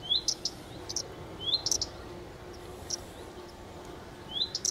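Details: Common redstart giving repeated upslurred whistles, each followed by sharp high ticking notes, three phrases spaced roughly one and a half seconds apart against quiet outdoor hiss.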